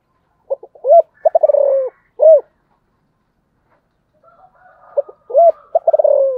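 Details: Spotted dove repeating its cooing phrase twice. Each phrase has quiet lead-in notes, a hooked coo, and a rapid purring roll falling in pitch, with a clean final coo in the first. A soft murmur sits between them.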